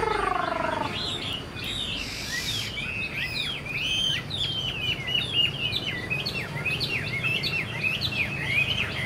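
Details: Caged Chinese hwamei, a young bird from this year that flicks its tail, singing a rich stream of varied whistled phrases, slurred up and down and rapidly repeated, after a brief low descending sound at the start; steady background hum.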